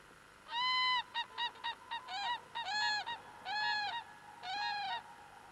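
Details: Common crane in courtship display, Wdzydze Landscape Park, Poland, 7 March 1998: one long rolling trumpeted bugle, a quick run of short clipped honks, then four drawn-out ringing calls over about five seconds.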